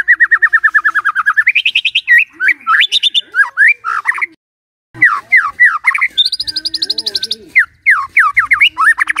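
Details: White-rumped shama singing in the morning, intended to make a silent shama sing: a long rapid trill climbing in pitch, then energetic mixed whistles, rising slurs and fast repeated notes after a brief gap.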